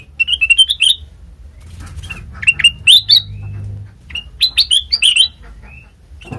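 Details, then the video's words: Sooty-headed bulbul used as a lure to make untrained birds reply: scattered clusters of bright, rising chirps and short warbles, with pauses between groups and faint low noise. "Suara khas Pancingan Kutilang Bahan,Cukup 1Menit Nyaut"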